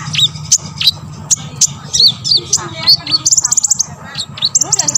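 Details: Olive-backed sunbird singing to draw responses from other sunbirds, with high sharp chirps, quick slurred notes and rapid buzzy trills near the end, over a low background hum.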